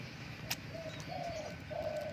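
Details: A captive young male Zebra Dove, newly started at calling, gives three soft, mid-pitched rolling coos in quick succession, with a sharp click and faint outdoor background noise.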